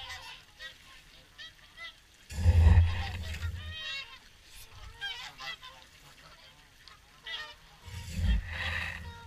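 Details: Evening feeding time for swans at Caerlaverock, a crowded flock trading nasal, wavering honks that overlap in dense bursts, interrupted by two heavy low rumbles of wind or handling noise.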